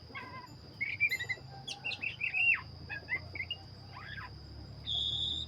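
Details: Oriental magpie-robin of the black-breasted form in full song, giving a tumbling sequence of clear whistles, slurred notes and brief chips, with a sustained high whine and faint low rumble behind.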